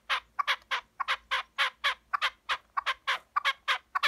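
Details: Wild red-legged partridge at a farm's chicken enclosure, talkative toward people: loud, harsh, rasping chuck notes repeated rapidly and fairly steadily, about four per second, with little else heard.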